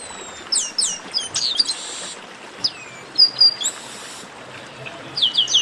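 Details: A chorus of chestnut-capped blackbirds, played to get singing birds going. Sharp downslurred whistles and a harsh buzz come in short clusters, separated by brief quiet gaps.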